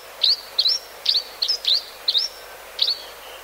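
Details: Grey-hooded sierra finch giving seven short, bright chirps with a quick upward flick, spaced about every half second, against a quiet, faintly hissing background.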